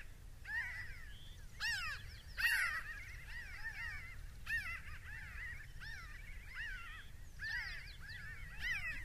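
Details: A large flock of pinyon jays flying over pinyon-juniper woodland in the mountains of Arizona calls together in a steady overlapping chorus of nasal, slurred, rising-and-falling mews, recorded binaurally, with a low rumble of wind beneath.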